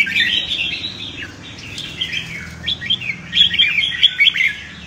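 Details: Red-whiskered bulbul giving competitive fighting song, used to train birds and fire up newly caught ones; bright warbled whistles with quick falling slurs, a longer phrase, a short pause, then a rapid string of sharp chirped notes.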